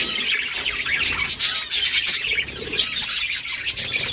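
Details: Budgerigars chirp while the mother feeds her young. High twittering mixes with a few thin whistled notes, constant and fairly even through the short stretch.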